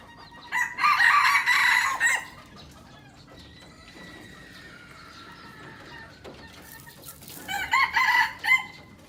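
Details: Aceh red junglefowl, a young bird kept as a lure, gives two loud harsh crows several seconds apart, with soft background noise and faint calls in between.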